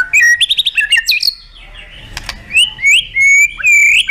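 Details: White-rumped shama song in contest style, with bursts and full fill-in phrases: rapid chattering notes, then bright whistles rising and falling around upper tones, with short pauses between phrases.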